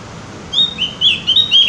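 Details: A Javan grey-throated white-eye, known locally as opior jawa or cucak gentong, delivers bursts of thin, high whistled chirps in three short groups after a brief quiet start.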